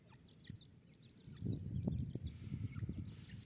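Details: Iranian partridge with small chicks: a run of thin, high, down-slurred peeps repeated several times a second, over heavy low thumping and scuffling noise close by.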